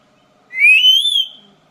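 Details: Black-capped lory, a parrot let out into the open, gives one loud, clear whistle that rises and wavers slightly, lasting under a second over a quiet background.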